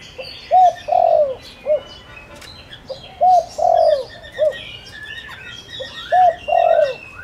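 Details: Decoy spotted dove calling to draw in wild doves. Three low, mellow coo phrases arrive roughly every three seconds, each a short note, a drawn-out rolling coo and a brief closing note. Light twittering of small birds sits behind.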